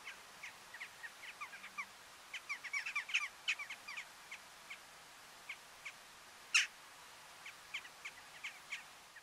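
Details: Eurasian jackdaws in the Uitkerkse Polder, Belgium, in December 2013, give short, sharp 'tchak' calls, scattered irregularly and sometimes in quick bursts, with one louder, harsher note near the end.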